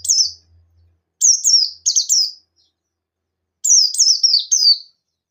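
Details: Buxton's white-eye singing in 'nembak' style to draw other white-eyes into singing. Two quick volleys of high descending chirps, three to four notes each, separated by a pause, with faint low hum at the start.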